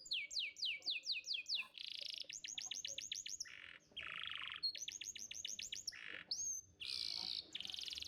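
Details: Canary, a young-canary training song used to prompt canaries to sing: fast trills of sweeping descending notes, rattling buzzy rolls, and harsh churring bursts alternating in a continuous, energetic sequence.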